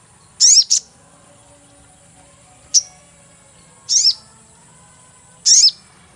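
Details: Catching lure of a sogon bird: shrill, high chirps with downward-sweeping tails, the first doubled, one brief clipped note, spaced a second or more apart, over a constant high hiss.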